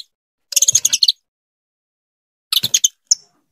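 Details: Female saffron finch urging her mate toward breeding: two dense bursts of quick, harsh chattering notes separated by silence, ending with a single thin high chip.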